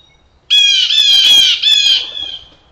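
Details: Blue jays in a Maine forest, riled up and screaming at a canid, possibly a wolf: harsh, loud, buzzy screams with rich harmonics, one long scream running about a second followed by a shorter second scream.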